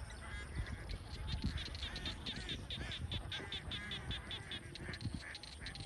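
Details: Large flock of young domestic ducks on a Vietnamese duck farm; dense overlapping chorus of raspy quacks, many birds calling at once, with steady low rumbling background noise.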